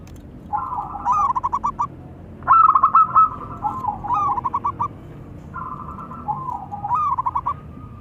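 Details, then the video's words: Male and female local zebra doves answering each other; a series of rolling, stuttered coo phrases, each ending in rapid pulses, repeated about every one to two seconds. "Suara perkutut lokal saling sahut."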